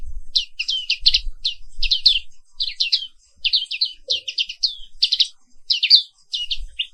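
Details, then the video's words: Black-capped white-eye, Zosterops atricapilla, a caged bird from Papua, Indonesia, singing in the morning: rapid bursts of high, chattering, slurred notes in quick phrases, with occasional low thumps. "Suara Terapi Pagi Pleci Papua Wiklus"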